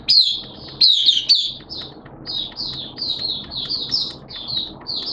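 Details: Caged Oriental white-eye singing in wet, erratic weather: a rapid string of high, sharp, slurred chirps, a few loud notes first, then an even, quick series of similar twittering phrases, about three per second.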